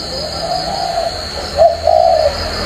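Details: Caged spotted dove with a warm three-note 'thổ' style coo; low, soft hooting notes in two bursts, the second longer and warbling, over a steady high electronic hum and low background rumble.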